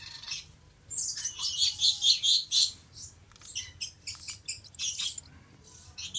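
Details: A male Stella's lorikeet (Charmosyna papou goliathina) gives a run of shrill, high, squeaky chirps and screeches, bunched in quick bursts with brief pauses between them.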